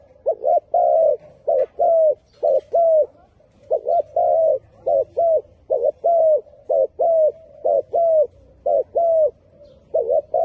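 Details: Spotted dove singing continuously: a long, rhythmic series of low, hollow coos, short double notes mixed with longer bowed ones, about one per second.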